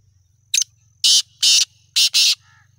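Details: Young black francolin aged seven months calls with one short scratchy note and four loud, harsh, hissing bursts in steady rhythm, ending with a faint higher note.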